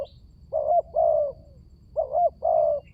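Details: Lure call of a spotted dove to coax quiet birds into voice: two phrases of a quick bent coo followed by a longer, falling, husky note, with a faint high chirp at the end.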